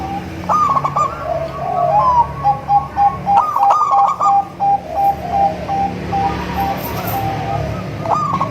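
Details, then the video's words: Zebra dove song for luring zebra doves, from local, crossbred and Bangkok birds: trilled rolling phrases alternating with chains of short repeated coos, roughly three per second, over a faint room-like hum. "suara merdu untuk memancing perkutut anda"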